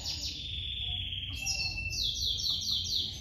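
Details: Domestic canary nestlings begging while the mother feeds them, giving quick high piping notes in a fast, slightly irregular run, over a constant low hum.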